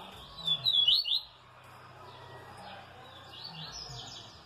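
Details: Double-collared seedeater, a brown 'pardo' bird, recorded on a Saturday: a brief, loud burst of quick high chirping notes lasting under a second, then quiet background hum.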